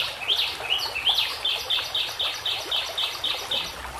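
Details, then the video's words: White-rumped shama song recorded as training material: a few sliding whistles, then a steady run of bright, high notes repeated about four times a second, with faint background water. "Dengan CEPAT murai batu AKAN EMOSI dan IKUT GACOR dengan masteran murai batu ini"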